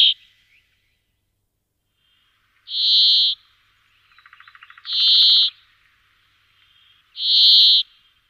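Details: Brambling uttering drawn-out, buzzy, wheezing notes of even pitch, each under a second long and repeated about every two seconds. A faint rapid ticking sounds between two of the notes; otherwise quiet.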